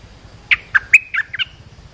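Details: Olive-winged bulbul call used to train young birds and lure wild birds, a short series of five or six quick, slightly harsh bubbly notes.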